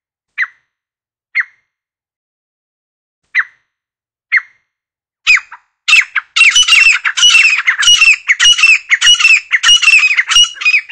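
Grey partridge: four short, spaced call notes, then a loud run of harsh, grating calls repeated rapidly, more than one per second.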